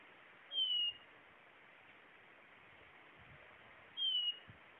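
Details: Blue-naped chlorophonia singing: two clear, thin whistles, each sliding gently downward and lasting under half a second, spaced about three and a half seconds apart over a soft steady hiss.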